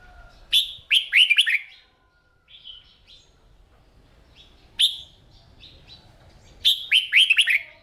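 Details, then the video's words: Red-whiskered bulbul morning singing practice for a kept bird: bursts of warbled slurred notes in quick groups, separated by quiet gaps of one to three seconds. "Tiếng Chim Chào Mào Hót"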